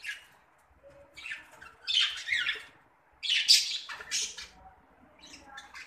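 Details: A colony of male and female budgerigars (Melopsittacus undulatus) calling, with harsh, scratchy squawks and bursts of warbling from several birds at once.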